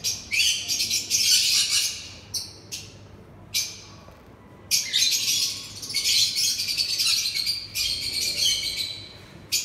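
A sun conure gives harsh, shrill screeches in repeated bursts during mating.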